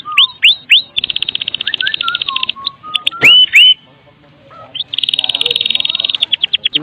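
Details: White-rumped shama of the Medan type singing a full, vigorous kretekan song used to lure other shamas into song: fast buzzy rattles of high notes alternate with downslurred whistles and rising swept whistles, with brief pauses.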